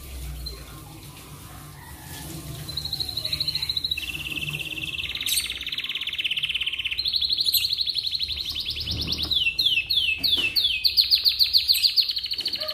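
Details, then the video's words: Atlantic canary singing in the morning to prompt other canaries: quiet start, then a high trill, a lower buzzing roll, and increasingly loud, rapid rising chirp series repeated several times a second. "MASTERAN AMPUH Buat Kenari Lain Cepat Bunyi II Pancingan Kenari di Pagi Hari"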